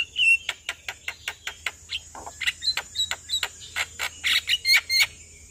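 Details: Javan myna singing in the morning, recorded as a master song for training caged birds: a series of repeated sharp clicking notes about twice a second mixed with whistled and squeaky phrases, over a steady low hum.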